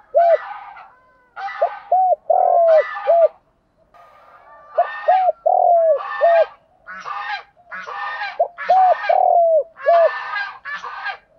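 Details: Spotted dove calls, male and female, used to stimulate other doves: repeated low cooing phrases of short hooked coos, with harsher overlaid sounds, in bursts every second or so across the recording.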